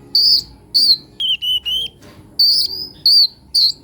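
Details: Sunbird singing: clear high whistled notes, some sliding, in short bursts with brief gaps, a quick stuttered group in the middle, then more loud whistles.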